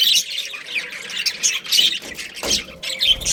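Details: Budgerigars, a breeding pair of Australian parrots kept as a family, give rapid high scratchy chirps and squawks in quick irregular bursts, with short quiet gaps between them.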